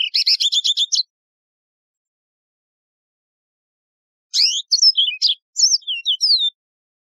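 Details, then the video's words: Yellow-fronted canary, a wild canary with a resonant voice, singing: a quick buzzy trill of repeated notes, then a pause of about three seconds before a phrase of high slurred whistles and chirps; otherwise quiet. "شريط تغريد البسبوس الموزمبيقي"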